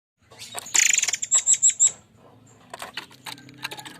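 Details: Forktail (murai air) lure song in the harsh 'shooting' style: a dense rattling burst of very high, thin notes, then four or five sharp whistled pulses, followed by quieter scattered clicks.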